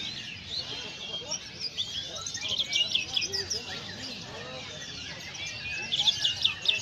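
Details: Indonesian white-eye in full, energetic song: busy high-pitched chattering with rapid chirps and short slurred whistles, louder bursts near the third and sixth seconds, over soft low hum.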